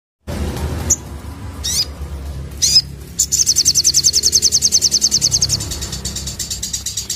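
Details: Sooty-headed bulbul kept as a fighter bird, singing: a few sharp high notes, then a fast run of about thirty clipped high chirps in steady rhythm, with low background hum throughout.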